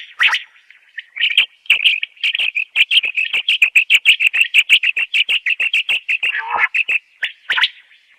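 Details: Common quail female call used as a hunting and netting lure in Khyber Pakhtunkhwa: a fast, dense run of high chirps about three per second, evenly pitched, with a lower rasping burst near the end and crisp clicks between notes.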